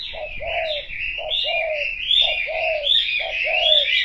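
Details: A spotted dove coos in steady paired phrases, a short note then a longer falling one, under a continuous bright chatter of many small birds.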